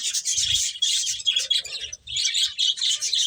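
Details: Eating finches chatter in high, rapid chirps, grouped in short bursts with a brief lull near two seconds.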